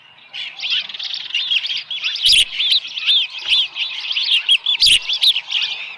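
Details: Osprey at the nest with a small live fish, about 7:10 AM on 13 July 2018. Repeated arching whistled chirps, around three per second, grow louder and steadier, with a couple of sharp knocks.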